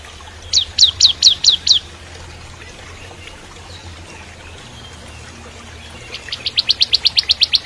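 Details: Bar-winged prinia in full 'kristal' song, meant as training material for a young shama: five ringing high chirps, a long quiet spell, then a fast, even trill of repeated sharp notes that speeds up.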